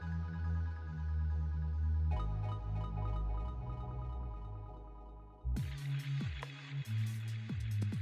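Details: Only electronic music with deep bass notes and bright chimes is heard, and no animal sounds.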